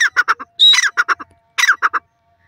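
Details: Grey francolin, or teetar, calling in two loud bursts of rapid, rasping notes, each opening with a strained higher squawk followed by four or five clipped repeats, separated by brief silence.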